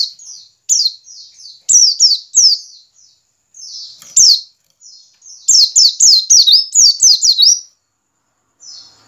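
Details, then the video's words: White-eye giving the ngiriwik call, used as a lure to get caged white-eyes singing quickly and loudly; very high, thin, downslurred chirps in fast clustered bursts separated by brief pauses, against a quiet background. "pancingan pleci ngiriwik agar cepat ngalas dan gacor"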